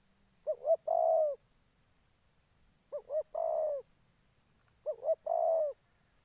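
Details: Decoy spotted dove used for trapping wild doves in Gia Lai, Vietnam, cooing three times: each phrase is two short rising-falling notes, then a long, steady, mellow croo, repeated about every two seconds against a quiet background.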